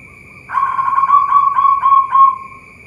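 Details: Local zebra dove from a bird farm in Boyolali, Central Java, giving a loud, low, rolling coo: about five purring, trilled segments run together over nearly two seconds, over a steady high-pitched whine in the background.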